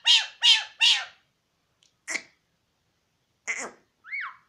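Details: Pashto-talking mynah: three fast, loud, high harmonic syllables, then scattered short, hissy squawks and a final rising-then-falling squeaky note.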